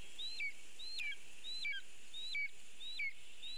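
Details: Lesser spotted eagle at its nest in a birch in Latvia, filmed by a live nest camera as a bird is brought in as prey. Thin high yelps that fall sharply in two steps repeat about every 0.7 seconds over a steady hiss.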